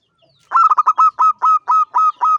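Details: A local zebra dove coos in its song: a fast stutter of short notes that spread into evenly spaced, longer ringing coos about every quarter second.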